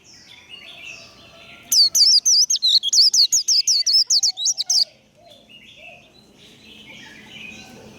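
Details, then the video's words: Warbling white-eye singing a fast run of about fifteen sharp, high, wavering notes packed into three seconds, loud and evenly spaced, with faint softer bird chirps in the background before and after. "Vành khuyên líu đấu. Khuyên líu kích bổi. Kích lửa vành khuyên líu đấu"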